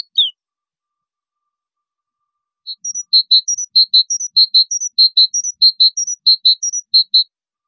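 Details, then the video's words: European goldfinch song meant for training goldfinch chicks: a quick opening squeak, silence, then a bright series of high double notes alternating with short slurred whistles at a steady, moderately fast pace, in clear, noise-free sound. "أروع وأجمل التغاريد طائر حداد صلاح لتلقين فراخ الحسون"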